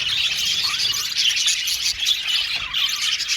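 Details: Male violet budgerigars in an aviary colony, a dense, continuous chorus of high, scratchy chirps and warbles from many birds overlapping without pause.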